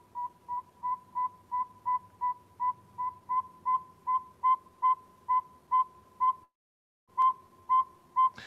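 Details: In New Brunswick, a male Northern Saw-whet Owl gives his common spring mate-seeking call, often from dusk for hours. These are steady, mid-pitched whistled toots, a bit over two per second, like a truck backing up, with one brief pause.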